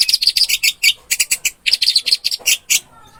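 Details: Orange-headed thrush song, offered as a masteran recording: a fast run of sharp, high chirping notes, some with a ringing whistled top, packed closely for about three seconds before falling quiet.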